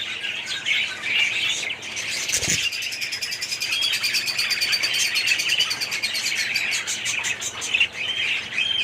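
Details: Colony of aviary budgerigars, 2017, with one short low thump early on and otherwise continuous chirruping, warbling and rapid clicking chatter.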